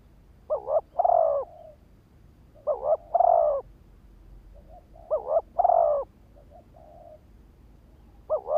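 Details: Decoy spotted dove calling to attract wild birds: paired short coos run straight into a drawn-out, slightly descending coo, phrases spaced roughly two to three seconds apart, with soft low coos between them.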